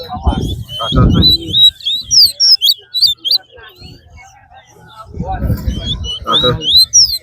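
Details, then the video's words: Towa towa singing in a bird singing competition at Lamaha Ground: high, sweet whistled phrases with quick rising and falling notes, mixed with loud men's voices counting and talking. "TOWA TOWA BIRD SINGING COMPETITION"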